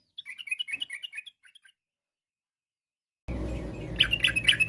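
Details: Singing yellow-vented bulbul, its song meant to draw replies from other bulbuls: a short burst of bubbly chattering notes fading into a few soft ones, then silence and an abrupt cut to a noisier passage of chirps.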